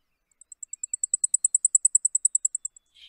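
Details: Blackpoll warbler (Setophaga striata) song, heard in the White Mountains: about twenty very high, thin, insect-like ticking notes on one pitch, swelling then fading like a passing siren, over 2.5 seconds, then a soft rustle.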